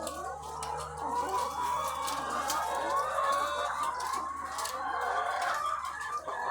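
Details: Egg-laying hens by the thousands on a farm, heard as a thick wall of overlapping clucks and short cackles, rapid and irregular, over a faint low hum.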